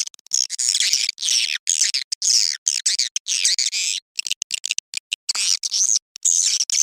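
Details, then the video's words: Lure recording of swiftlet mating calls for dusk: continuous shrill chattering and twittering in choppy bursts, repeated with frequent brief pauses, clean with no background noise. "SUARA PANGGIL BURUNG WALET BIRAHI SENJA"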